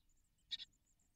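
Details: Great tit (Parus major) nestlings, fed by both parents, give a quick pair of harsh, hissy, high begging notes with mouths wide open, over in a moment; faint thin squeaks run softly in the background.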